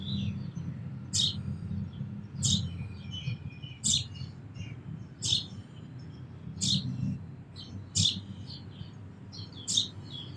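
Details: Sparrows chirping, seven bright, abrupt notes about every second and a half, with light twittering between and a steady low outdoor rumble.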